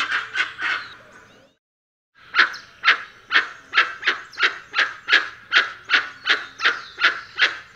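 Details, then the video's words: Dusky-legged guan giving a loud series of harsh, broadband barking notes, about two or three per second, broken by a short silent gap before the series resumes steadily. "Canto do Jacuguaçu Penelope Obscura"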